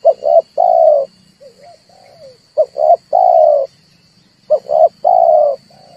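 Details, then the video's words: Red collared dove coos used to draw and trap birds, prompting them to sing: three rhythmic phrases of two brief notes and one sustained coo, softer falling notes in the gaps, a faint buzz and a high tone behind. "tiếng chim cu ngoi dùng cho kich chim hót dùng để bây"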